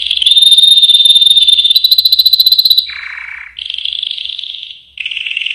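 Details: Yellow canary singing a loud, continuous song: long steady rolling trills at high pitch, then a lower buzzy trill, followed by a higher rolling tour and another mid-pitched trill.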